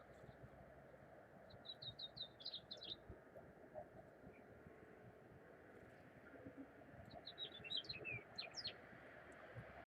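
Two bursts of dry, high chips from a chipping sparrow, each about a second and a half long, over a steady low rumble of traffic or wind.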